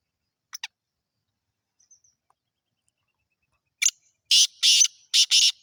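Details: Black francolin of the Sindhi type calls with a couple of faint clicks, then a loud run of rasping, buzzy notes, the last ones paired, in an otherwise silent recording.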